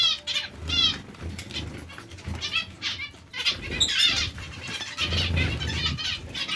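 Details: Zebra finch colony: clear nasal, harmonic beeping calls repeated rapidly from several birds, with a brief sharp note near four seconds and low fluttering noise beneath.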